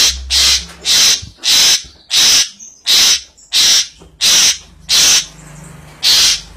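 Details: Asian pied starling giving loud, hissing, rasping notes repeated about one and a half times per second in a steady rhythm, with a faint low hum beneath.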